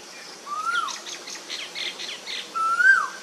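Asian koel giving two clear, mellow whistled notes that slide upward and then fall away, separated by a quick run of higher chirps from another small bird.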